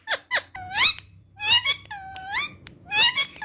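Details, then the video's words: Female ringneck parrot speaking Urdu and Hindi, producing nasal, squeaky word-like syllables with gliding pitch in short phrases, indoors. "Mago Urdu Hindi Speaking Female Ringneck Talking Parrot"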